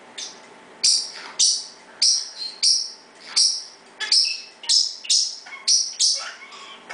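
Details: Parrot in its daily 6pm loud chirping session, calling so its owner knows it is still around. It gives a steady run of about a dozen piercing, high squeaky chirps, roughly one every half second, some with a falling tail.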